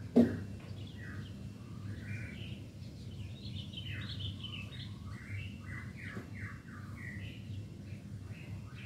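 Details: A 9-month-old white-rumped shama with a full repertoire sings loudly and harshly: a continuous run of varied whistled and slurred phrases, mostly mid to high pitched, over a steady low background hum.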